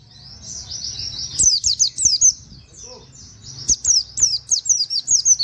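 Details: Plain flowerpecker (pleci) used as a master voice for songbird training, sound compared to canary. A soft high trill first, then bursts of sharp, high downslurred chirps repeated quickly, over low background hum.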